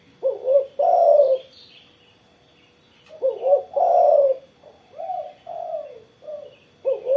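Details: After being set out in the morning sun, a spotted dove gives lively song: soft two-part coos followed by a long, rich, drawn-out note, then a series of falling coos. Faint higher chirping can be heard behind it.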